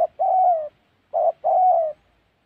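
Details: Spotted dove in Gia Lai, Central Highlands of Vietnam, heard during trapping: two pairs of soft, low coos, each a short note then a longer, smooth, slightly descending note, with silence between.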